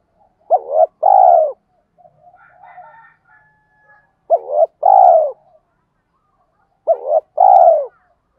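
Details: Spotted dove lure call of the 'tiếng thúc' type, used to excite wild doves. Three phrases come roughly every three seconds. Each is a quick two-part hooked note followed by a fuller falling coo, with faint soft chirps in between.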